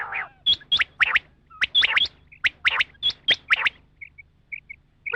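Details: Female rain quail call used as a hunting lure: quick bursts of sharp rising notes, several per second, then a few soft isolated chirps near the end over a low steady hum.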